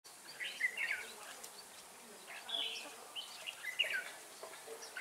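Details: Red-whiskered bulbul, a decoy bird used for trapping, singing short warbled phrases of bright, quickly slurred whistles, loose bursts spaced about a second apart, over a steady background hiss.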